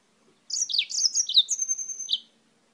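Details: Yellow-fronted canary from Spain singing: a rapid warbled phrase of high sweet notes dropping and rising, ending with a long thin whistle and a final chirp.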